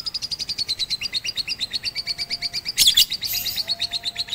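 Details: Batman lovebird in song training with a master recording on a rooftop, 18 April 2021; rapid high chirps about five per second, briefly overlaid by a louder harsh burst near the middle.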